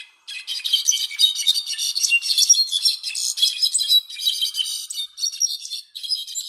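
A Brown-backed Solitaire pours out a fast, jumbled cascade of high, metallic tinkling notes. The notes run almost without a break and sound like a tumbling, jangling chime.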